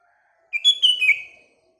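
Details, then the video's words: A single bubbly, whistled phrase from a sooty-headed bulbul in the morning, several quick notes sliding down at the end. "Paduan Kutilang Dan Burung Sekelilingya (Bikin Gacor Bersaing)"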